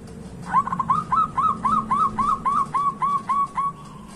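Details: Zebra dove singing a clear series of about twelve arched, whistled coo notes that rise and fall, evenly spaced. The recording is used to spur quiet doves into song, and a faint low hum runs underneath.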